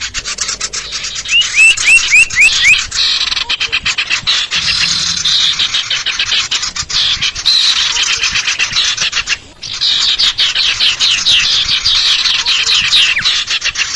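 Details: Female common iora calls used as a lure for the species: dense, high, buzzy chattering, about four notes a second, with a few short rising whistles early on and brief pauses between bursts.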